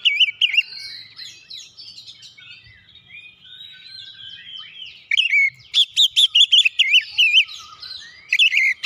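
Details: Oriental magpie-robin singing to spark song in other birds. Soft continuous warbling and twittering build into a loud, fast series of repeated ringing whistled notes near the end.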